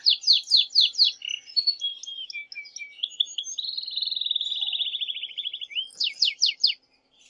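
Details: Excited male canary singing strongly to stimulate the female to mate and to teach young birds: fast descending sweeps repeated rapidly, varied chirps, then a long, even, rattling trill, ending with more quick downward sweeps.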